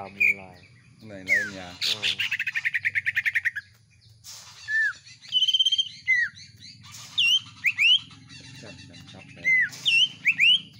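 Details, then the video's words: Captive greater green leafbird at home in full song: a rapid stuttering trill, then a string of clear whistled slurs and quick downward notes, delivered in lively bursts. "CUKAK IJO X CIPOH GACOR PARAH"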